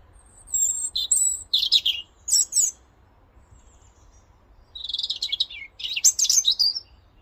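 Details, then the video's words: Male European robin in Cornwall marking his territory with song: two high, thin, warbling phrases of quick twittering notes and slurred trills, separated by a pause of about two seconds. "a Robin marks his territory with song"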